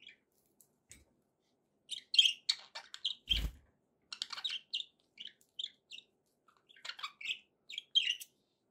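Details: Happy budgies in steady chatter: many quick, buzzy chirps and clicks strung into long warbling runs, broken once by a brief low knock.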